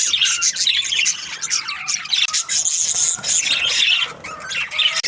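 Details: Australian budgies in breeding season chirping together, a dense chorus of high warbling chatter and squeaky notes from several birds overlapping without pause.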